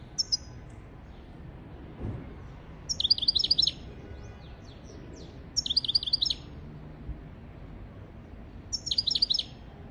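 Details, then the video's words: European goldfinch song for tutoring goldfinches and canaries: four bursts of fast, bright twittering, each under a second long and spaced roughly three seconds apart, with faint sliding notes between them and quiet background. "تغريد طائر الحسون حفاضة لتعليم طيور الحسون والكناري بدون أخطاء"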